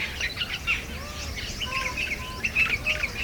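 Jungle babblers give a steady run of harsh, squeaky chatter notes, several birds overlapping, with a few softer whistled notes beneath.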